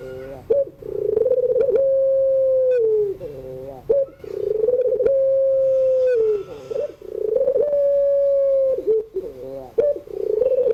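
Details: A Barbary dove of pelung style cooing its crying evening song, used to teach young birds. Drawn-out even coos, each about two seconds, are broken by rolling, stuttering note clusters.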